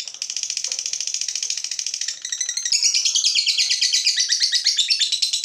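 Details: Fighter lovebird provoked into long "ngekek" song by a rival: a fast, continuous, high chattering trill of rapid repeated notes, growing louder and brighter partway through, steady throughout with no pauses.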